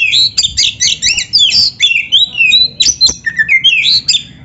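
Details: Oriental magpie-robin (kacer) in full gacor song, a master recording to stimulate beginner, practising or lazy kept birds; loud, rapid stream of varied whistles, trills and harsh notes, phrases tumbling without pause.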